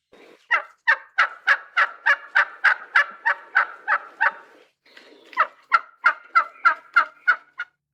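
Wild turkey gobbling in two loud runs of rapid, rattling notes, about three a second, with a short pause between bursts.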